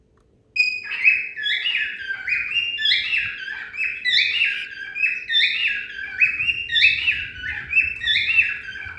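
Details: Cockatiels (Nymphicus hollandicus) singing practice: a continuous run of bright, warbling whistles with rising and falling notes.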